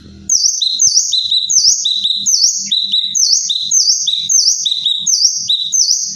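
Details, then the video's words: Tropical kinoi bird calling harshly and continuously, high swooping notes alternating with lower steady notes in a fast repeating rhythm, faint low knocks underneath. "Suara cadas burung kinoi"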